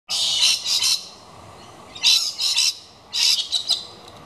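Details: Galah screeching while checking out a nesting box put up for kookaburras: three bursts of harsh, grating screeches, each made of two or three rapid notes, with short quiet gaps between them.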